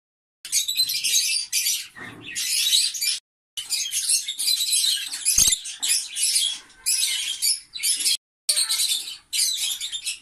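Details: Green peach-faced lovebirds, African lovebirds, giving shrill, high chattering bursts in quick runs of about a second each, separated by short silent gaps.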